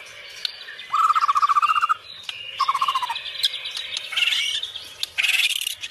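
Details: White-rumped shama song heard at moderate distance: two rapid, rising trilled phrases, followed by higher scratchy notes and short whistled bursts over a soft background hiss.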